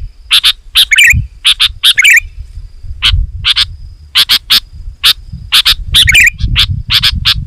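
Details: Loud, dense song of a Sooty-headed bulbul for luring wild birds: crisp chirps in quick pairs and runs with occasional bubbling phrases, over steady low background rumble.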